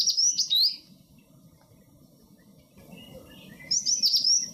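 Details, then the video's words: Indian (black-lored) yellow tit foraging in groups of four or five, picking worms and insects from trees, giving communication calls to stay connected: two bursts of high, rapid, thin twittering notes separated by a quiet gap, with faint low background rumble. "Indian (Black-lored)Yellow Tit"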